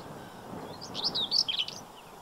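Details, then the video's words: In the Séné nature reserve, Brittany, France, on 15 April 2023, a black-winged stilt in spring gives a quick series of shrill, slightly nasal yapping notes lasting under a second, against quiet background hiss. "ÉCHASSE Blanche/Himantopus himantopus/Printemps !"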